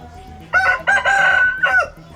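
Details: A large Burmese rooster roaming free in a local market in Myanmar crows a loud, harsh, multi-part call with a long sustained middle note.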